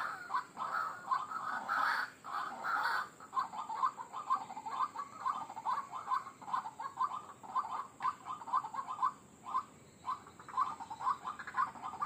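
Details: White-breasted waterhen lure recording for attracting wild birds: a long, fast run of short, clipped, monotonous notes, with a few louder rough bursts near the start and occasional brief pauses.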